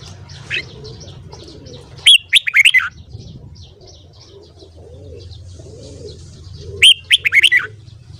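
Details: Red-whiskered bulbul morning song for voice training: two rapid phrases of six sharp whistles about five seconds apart, with soft dove cooing and scattered faint chirps between them.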